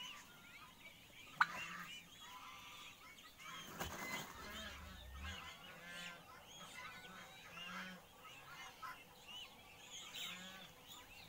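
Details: A male wild turkey courting a female gives a steady run of harsh, overlapping clucks and yelps, with a brief low thump near the middle and a faint background hum.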